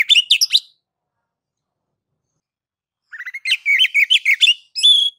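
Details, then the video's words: Oriental magpie-robin (kacer) in gacor song: a quick burst of jumbled whistles, a pause, then a fast chattering run of varied notes ending in a level whistle. "KACER NGEPLONG MEMANCING KACER AGAR CEPAT BUNYI GACOR Birds Song Kacer"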